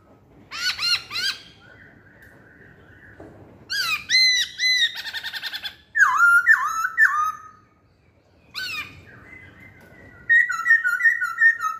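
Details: Masked laughingthrush lure song in varied bursts: fast arched chattering notes, a steady sustained tone, rapid clicking trills and strings of slurred descending whistles separated by brief pauses.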